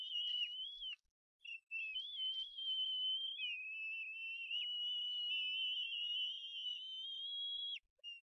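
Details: Two bald eaglets at Harrison Bay, 18 May 2015, cry while a parent brings food to the nest: shrill whistled notes, then a long, slightly wavering high wail lasting several seconds, voices seeming to harmonize.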